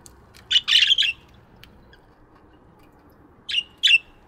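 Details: Budgies chirping in an aviary in the morning: a quick burst of bright, scratchy chirps, then two short separate chirps after a pause of almost three seconds, over a faint low hum.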